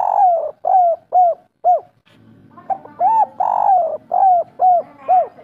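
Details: Spotted dove of a local Indonesian strain singing kuk 3 song, meant to prompt other doves to sing. Long runs of soft, deep, arched coos, about two per second, over faint low background noise.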